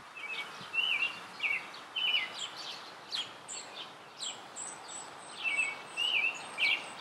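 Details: An American robin sings in a backyard tree, giving short, warbled caroling phrases, each under a second, in a steady string over a soft background hiss.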